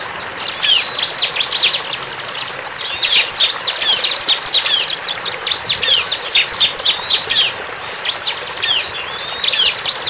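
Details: Bar-winged prinia in the wild, singing energetically: a lively, continuous stream of high, rapid chips and trilled phrases, pulsing in short groups, with short gaps near the end.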